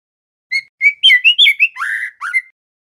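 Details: White-rumped shama, a juvenile trotol male learning its song: bright whistled notes rising in pitch, a burry drawn-out phrase, then a final upslurred whistle, with no other sounds.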